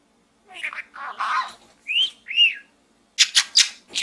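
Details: Chattering budgerigar inside a small gourd: a few raspy notes, two clear arched whistles, then a quick series of sharp, harsh chirps.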